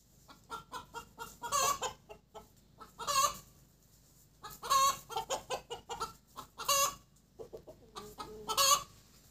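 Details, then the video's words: Laying hen cackling after an egg, called cục tác in Vietnamese: runs of short clucks, each run ending in a loud, harsh, drawn-out squawk, repeated about every two seconds with brief pauses between bursts. "Gà mái đẻ kêu cục tác"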